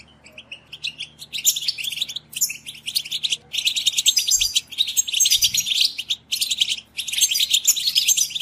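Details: Group of European goldfinches in busy twittering chatter, used to encourage goldfinches to sing; dense, buzzy high chirps come in long bursts separated by short gaps, over a faint low hum.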